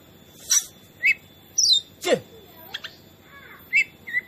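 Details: Kacer, or oriental magpie-robin, in a training recording meant to provoke other birds: sparse separate notes, including short chirps, a descending whistled slur and a deep downward sweep, with gaps between them.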